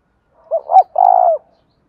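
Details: One đồng thổ voice phrase from a spotted dove: soft lead-in, two hollow notes rising then falling, and a prolonged slightly trembling coo, heard against silence.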